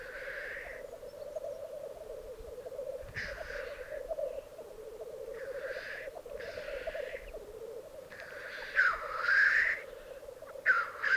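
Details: Black grouse cocks at a display ground in the Piedmont Alps, Italy, 2022. Soft continuous bubbling coos run throughout, with scattered breathy hisses that grow louder toward the end.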